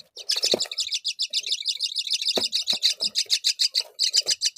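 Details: Myna at a feeding visit, the mother bringing fig to her babies; fast, raspy, buzzy notes repeated about three times a second in a steady stream, with a few low thuds underneath.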